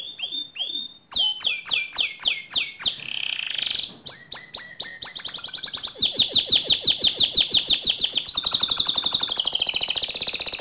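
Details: A canary performs its 'ngerol' and 'nembak' song, meant to provoke other canaries: loud descending whistled strokes at first, then a long run of fast, bright, high trills that shift pitch several times.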